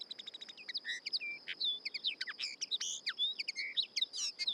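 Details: Common Linnet, played back, delivering a fast jumble of varied twittering notes, soft and harsher, with short buzzes and whistles in quick succession over faint background noise and a steady high tone.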